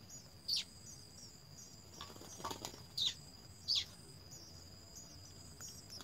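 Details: House sparrow nestlings (three young at the nest, fed by mother and father) give a few sharp, high cheeps spaced irregularly, over a steady high insect-like whine and faint soft twittering.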